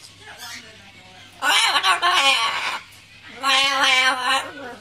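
A macaw gives two long, harsh, rapidly stuttering bursts, each over a second long, like a chattering dot-matrix printer, with a low steady hum between them.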